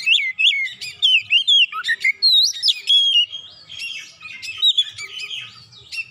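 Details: Oriental magpie-robin (kacer) bursting into isian song after one provocation: loud, rapid sequences of curling whistles and sharp chirps, almost unbroken for the first half, then a rambling, softer warble.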